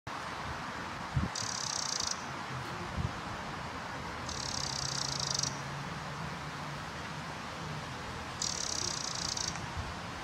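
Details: Eurasian wren calling from the top of a fence post: three dry, buzzy churring bursts, each under a second long, spaced about three seconds apart over constant wind and rustling noise.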